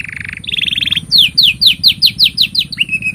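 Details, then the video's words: Canary master song for training young canaries, opening with a low buzzy trill, then a higher rolling trill and a run of about ten quick descending whistled notes ending on a steady trill. "Kenari Gacor Panjang Ini Bagus Untuk Masteran Kenari Paud Dan Pancingan Kenari Bisu"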